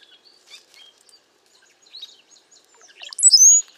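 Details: Cowbirds in a group during windy, bad weather give quiet scattered chirps and trills, ending in a loud, squeaky, rising high whistle with gurgled notes.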